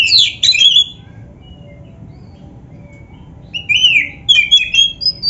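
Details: Black-breasted oriental magpie-robin singing a varied training song for kept birds. A burst of bright jumbled whistles opens, followed by near silence, then a short series of rising whistled notes.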